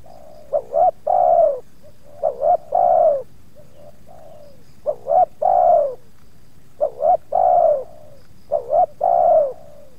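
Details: Luring session at Subang where two wild spotted doves approached, one showing resistance; four coo phrases, each a pair of quick notes followed by a long, warm, gently dropping coo, with faint quieter coos between.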